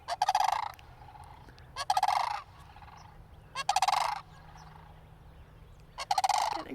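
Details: A pair of cranes near a church calls as a person approaches, though not very close; the recordist wonders whether they were scared. The calls are four loud, harsh, rattling trumpet calls, each about half a second, spaced about two seconds apart over a faint hum.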